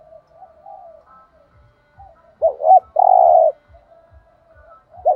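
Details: Spotted dove, 'thổ đồng' voice, 'thúc gù' style: quiet low murmurs, then a single strong phrase of two quick dipping notes and a long even coo, a new phrase starting at the close; faint regular ticks below.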